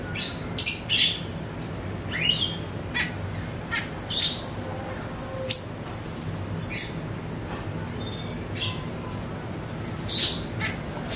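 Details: A Yellow-bellied warbler gives thin, high chirps and sharp sweeping notes in loose bursts every second or two, over a steady background hiss.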